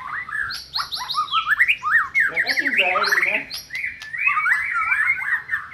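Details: White-rumped shama singing in a recording meant to spur a quiet shama to sing: dense, varied whistled phrases with loops and slurs, a harsh rasping middle section, then more fluid warbling.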